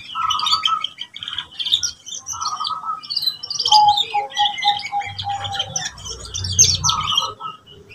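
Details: Canary singing to help young birds learn song: dense high twitters with repeated mid-pitched rolling trills and a series of short whistled notes, a low rumble near the end.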